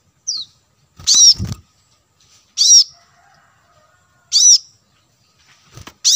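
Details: Plain-throated sunbird, recorded as lure audio to draw in wild birds: four bright, high, clipped chirps at irregular one-to-two-second gaps, with a few low dull thumps between the first notes.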